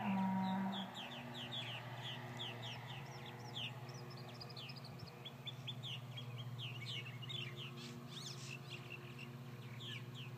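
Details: Purple martins calling after several hawk attacks: dense overlapping chirps from many birds, short downward and upward slurred notes about four per second, over a steady low mechanical hum.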